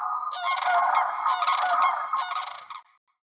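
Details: Greater sandhill crane in the Yampa Valley of northwest Colorado, where they arrive in March to nest, gives its loud bugle, a rolling, rattling purr of rapid pulses lasting nearly three seconds, audible up to two miles away.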